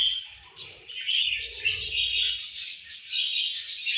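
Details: Budgerigars chirp and warble in a continuous bright, scratchy chatter around breakfast feeding.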